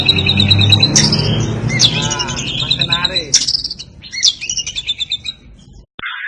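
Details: White-rumped shama, a champion competition bird, singing sharp high whistles and chirps over a steady low hum and faint voices, the notes coming in quick irregular bursts.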